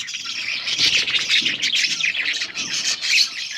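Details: Budgies at a nest during breeding, an adult feeding chicks: a busy stream of rasping, buzzy chirps overlapping with no pause, bursts swelling and fading every fraction of a second.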